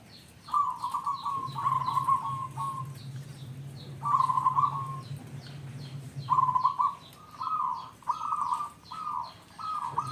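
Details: Lure song of a local zebra dove to make other zebra doves sing: clustered rolling, stuttered coo phrases with short gaps, over a low constant hum and faint high chirping.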